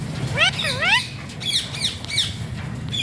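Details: Alexandrine parakeet, locally pahaadi tota, uttering two clear upward-sweeping, voice-like notes, followed by fainter hoarse squawks spaced about half a second apart; low background hum.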